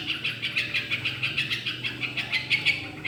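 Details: Yellow-vented bulbul in full song, used as a prompt for other songbirds: a string of clear, quick chirped notes about three to four per second, rising slightly in intensity toward the end, faint hum behind.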